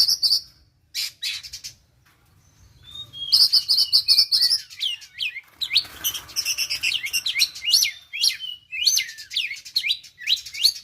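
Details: Oriental magpie-robin kept in a cage, a young bird learning the 'konslet' song: buzzy bursts and a short whistle, then fast chattering phrases of sharp rising and falling notes, about two to three per second.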